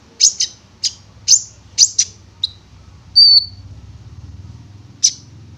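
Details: Konin (prinia) used as a lure to make the bird sing: a series of sharp high chips about twice a second, a short whistled note, then a pause and a single chip, over a low background hum.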